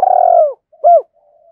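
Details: Spotted dove decoy calling wild doves: a burred, trembling note sliding downward, a short pause, then one loud hooped coo, with a faint low hum after.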